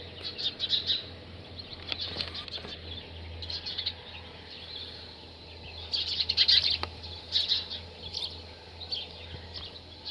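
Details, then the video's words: Male house sparrow active outdoors, giving bright repeated chirps in short clusters, louder bursts around the middle and end, over a steady low background hum. "House Sparrow Male Activity"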